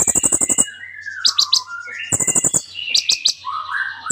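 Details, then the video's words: Energetic kolibri ninja sunbird song rich in mimicked phrases, opening with a fast rattling burst of hard chips, then sliding whistles, a second rattling burst and soft warbled notes. "KOLIBRI NINJA GACOR FULL ISIAN MEWAH"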